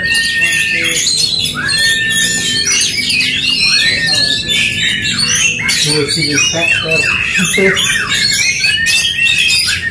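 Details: Aggressive duel between Oriental magpie-robins: a rich, unbroken torrent of varied whistles, chirps and downward-slurred notes, with short level tones repeated among fast chattering phrases.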